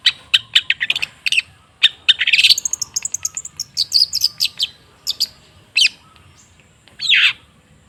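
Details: Long-tailed shrike lure song, used to prompt a silent shrike to sing: rapid bursts of sharp, high chattering notes and scratchy trills, with brief gaps and a final harsh, descending rasp.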